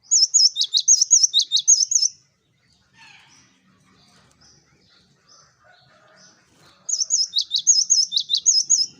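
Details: Cinereous tit singing energetically, used as a lure for flocking birds: rapid high, wavy whistled notes alternating with sharp downward strokes, delivered in two bursts of about two seconds separated by a near-silent pause.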